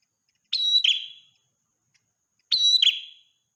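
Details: Actively singing ashy tailorbird, morning and night: a loud high whistled note running into a rasping buzzy trill, given twice two seconds apart, nothing else audible.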